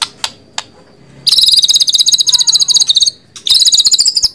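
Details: White-rumped shama song: a brief high tick, then two bursts of very rapid, buzzy high trilled notes, the first about two seconds long, the second following after a short pause.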